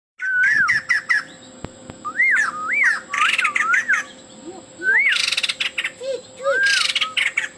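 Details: Male white-crested laughingthrush singing actively, a full song with mimicked filler phrases: looping whistled notes rising and falling, broken by harsh crackling chatter bursts, with a steady low hum in the background.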